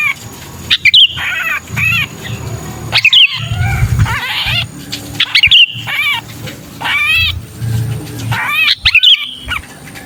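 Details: A sooty-headed bulbul caught and crying in distress, a sound used to lure wary bulbuls: bursts of raspy, arching screeches about every two to three seconds, each opened by a shrill whistle, over a low rumbling hum.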